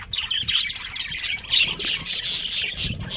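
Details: Colony of budgerigars with a breeding pair, soft warbling chatter at first, then a run of loud, harsh squawking chirps repeated about four times a second toward the end.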